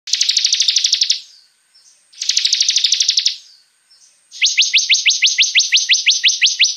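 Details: Bar-winged prinia (ciblek) in lively song gives two rapid buzzy trills about a second long, then a longer series of sharp, high, clipped notes repeated about three per second.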